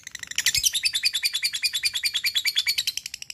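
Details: Long ngekek chatter from a lovebird, described as quick to stir opponents into sound. After a short soft start, sharp, high, buzzy notes pulse evenly for about three seconds.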